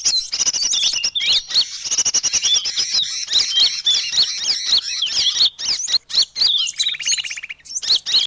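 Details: Small birds in a lure recording: a torrent of high squeaky chirps and sharp clicks, steady and overlapping, broken late by a brief buzzy rattling trill before the chattering resumes.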